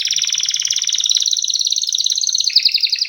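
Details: Canary singing a fast, steady trill of rapid high notes repeated about three or four times a second, holding a level band before shifting slightly higher near the end.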